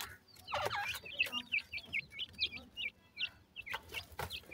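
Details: Black francolin chicks feeding and playing together, giving a rapid series of sharp, high, hooked cheeps, some overlapping, after a brief scrape of noise at the start; soft tapping continues in the background.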